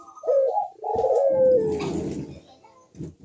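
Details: Barbary dove (burung puter) cooing in manggung style, used as a lure for doves that are reluctant to call; a short coo followed by a longer, drawn-out falling note with some roomy background noise.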